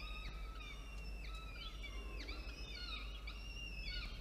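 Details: Falcon nest feeding at 1:54 p.m., 13 October 2022, two chicks being fed by the female. Long, level, whining harmonic calls with dipping swoops between them, nearly continuous, over a steady low background drone.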